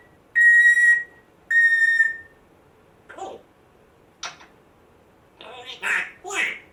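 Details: Rescued African grey parrot, one month on, produces two long even whistled squeaks, then scattered clicks and harsh, throaty rasping noises.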